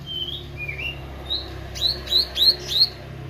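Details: Meranti bird singing actively: a few separate whistled slurred notes, then four quick sharp notes that each drop and then rise, with a faint low hum underneath.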